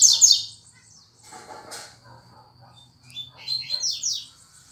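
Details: Fast tuituí song of a Lined seedeater: a loud opening burst of high slurred notes, a quiet stretch with a rustle-like noise, then another run of quick descending chirps.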